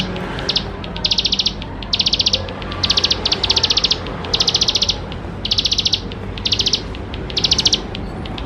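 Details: Bar-winged prinia singing vigorously to coax young birds into song; sharp, fast high trills in short bursts repeat steadily across the recording, with a quiet low hum underneath.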